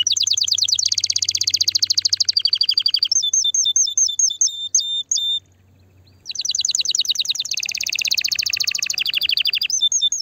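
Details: Canary song to stimulate the female toward mating: dense rolling trills, a passage of short clipped notes, a pause of near silence, then renewed rapid trilling and chirps; faint low hum in the first half.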